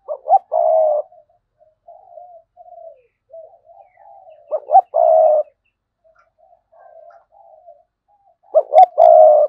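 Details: Three loud cooing phrases from a decoy spotted dove in sa gù and thúc bổi style, each with short leading notes and a longer hollow coo, with softer wavering coos of other doves between them.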